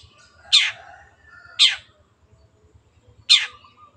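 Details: Long-tailed shrike kept as a pet bird, giving three loud rasping downward-sweeping notes at uneven gaps, with quiet low hum behind.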